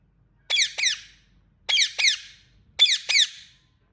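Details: Indian ringneck parrot calling in a steady rhythm: three sets of two scratchy, falling chirps, each set spaced a little over a second apart, background otherwise silent.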